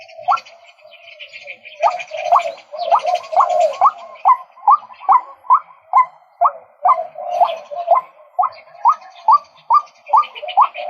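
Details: Male White-breasted waterhen in a long, rhythmic bout: evenly spaced upswept notes about twice a second over a steady lower tone, with hissy higher noise early on.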